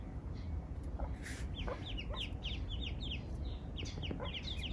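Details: Spot-billed duck ducklings with their mother, wandered in far from any pond or river; thin descending peeps come in loose runs, a few higher squeaks among them, over a low rumbling background.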